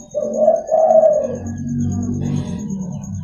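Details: Local zebra dove cooing in the morning, a chatty song used to lure and train other zebra doves: two soft, rolling, mid-pitched coos in the first second and a half, then low murmuring background hum and a constant thin high whine.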